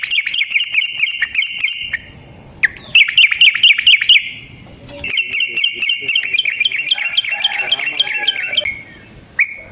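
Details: Yellow-vented bulbul singing fast rolling, chattering phrases as a lure for other bulbuls: long runs of quick bright notes rise and fall at a mid-high pitch, broken by short pauses.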